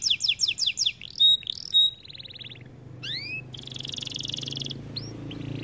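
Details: White AF canary singing varied phrases: crisp repeated chips, a pure whistled note, a rolling trill, two rising slurs, then a sustained harsh buzz and another trill, over faint background noise.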